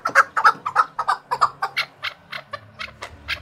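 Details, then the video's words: Chukar partridge trained for fighting, singing at rivals: a loud flurry of harsh clucks that rise slightly in pitch and fade toward the end, with a soft background hum. "Powerful Chukar (chakor) Partridge Singing - صوت حجل بري"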